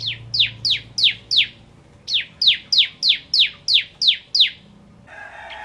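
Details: Bar-winged prinia of the Kristal type singing in the ngentrok style: a fast run of sharp, downward-sweeping high notes, a short pause, then another run of about nine, ending with a brief different buzzy sound.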